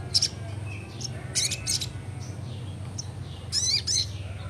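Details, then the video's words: Young Crimson Sunbird (sogon) singing busily, full ngleper style, with sharp, very high chirps and trills in short bursts separated by brief pauses, over a steady low hum. "Burung Sogon muda Gacorr ful ngleper"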